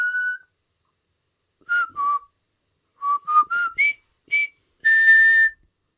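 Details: Caged pet common hill myna rehearsing the River Kwai March while practising talking: a held whistle, then a phrase of short pure notes stepping upward, ending on one long bright sustained whistle.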